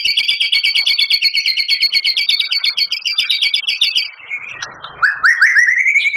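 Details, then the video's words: White-rumped shama in full rapid-fire song. A dense, fast, chattering two-toned trill runs about four seconds, then breaks into rough notes and finally a series of quick rising whistled slurs. "Suara Murai Batu Juara,Tembakan Murai Batu Gacor Full Isian Kasar Panjang Mewah"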